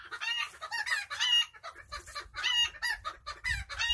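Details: Domestic chickens (chooks) relaxing through their day: loud, harsh, strongly harmonic squawking clucks in quick clustered bursts, with brief low thumps underneath.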